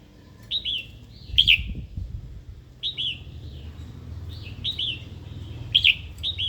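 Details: Female red-whiskered bulbul calls used to stir a wild-caught male into singing and fighting: short, bright, slurred chirps repeated about every second in pairs and triplets, with faint low background rumble.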